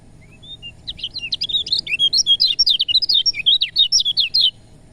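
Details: Lemon-bellied white-eye song for prompting reluctant birds to sing: two soft opening whistles, then a long, fast, unbroken twittering of sharp high notes, close to four a second, for over three seconds before stopping.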